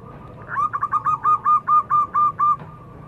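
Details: Zebra dove song used as a lure to prompt other birds to sing: a rapid run of about ten short, even cooing notes at a steady mid pitch, each clipped and evenly spaced, lasting around two seconds over a quiet background.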